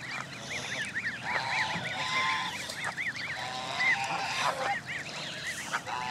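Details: Canada goose families gathered with their goslings at Jess Ranch Lakes Park on May 23, 2014, 29 of 32 families present: a dense chorus of high arched peeps repeating rapidly, with a few lower honking calls underneath.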